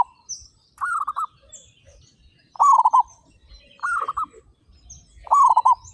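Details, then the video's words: Local zebra doves, 35 birds, in loud active song. Four or five rapid pulsed coo phrases, alternating louder and softer callers, with a few brief high chirps from other birds. "PERKUTUT LOKAL GACOR SUARA BESAR"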